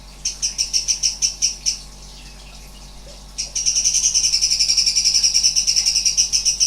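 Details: Sooty-headed bulbul (cucak cungkok) with strange rapid-fire 'nembak' song: a burst of high pulsed notes, a quiet stretch of about one and a half seconds, then a long, fast, bright trill to the end.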